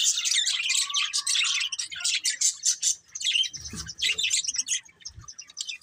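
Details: A group of budgerigars, described as happy, chirping: rapid, overlapping high twitters and scratchy warbling notes pour out almost without pause, broken by a short low rustle midway.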